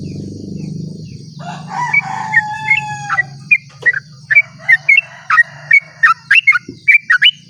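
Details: Sooty-headed bulbul singing a long rapid song at dawn, used to lure other bulbuls into singing; a loud rooster crow with low hum first, then sharp, slurred whistled notes repeated several per second.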